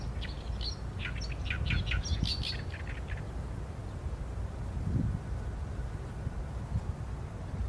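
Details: Oriental reed warbler, filmed with a Sony A7M3, delivering a rapid run of harsh, scratchy chattering notes for about three seconds, then falling silent while a low steady rumble continues.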